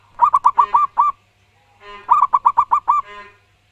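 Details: Local wild-type zebra dove singing loudly and clearly: two quick bursts of five or six staccato, arched cooing notes, each burst about a second long and ending in a softer trailing note, with a short pause between.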